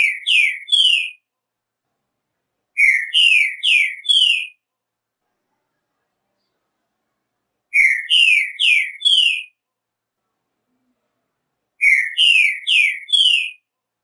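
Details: Short, loud song variation of a green-winged saltator: phrases of four quick down-slurred whistled notes, repeated four times at intervals of about three to four seconds, with nothing else audible.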